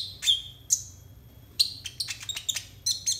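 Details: Konin song for tutoring young konin: two clear high whistles, a pause, then a quick jumble of chirps and short whistled notes speeding toward the end.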